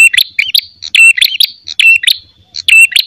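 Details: Fighting call of a red-headed prinia, used for luring. Brisk bursts of sharp, buzzy chirps and short looping twangs come rapidly in uneven clusters, interspersed with faint low taps.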